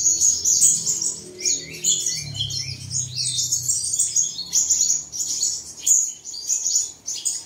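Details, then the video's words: Bird song for early-morning play to caged birds: dense, rich twittering with slurred whistles and chirps, repeated phrases in quick succession, and a brief low murmur in the background early on. "Bật Tiếng Chim Này Lên Vào Sáng Sớm Chim Của Bạn Sẽ Hót Ngay"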